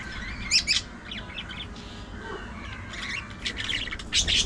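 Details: Budgerigar chatter with two loud harsh squawks at the start, quieter warbled murmuring in the middle and another burst of scratchy squawks at the end.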